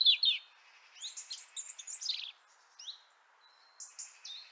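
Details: Winter song of a European robin, Liepāja, Latvia, January 2023: two sharp opening notes, then a cascade of high, rapidly sliding whistles and tinkling trills broken by short silences.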